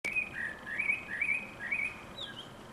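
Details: Common blackbird singing a short run of clear, fluty notes. The notes step up and down in a gentle, repeated pattern, with a higher twitter at the end, over a steady background hiss.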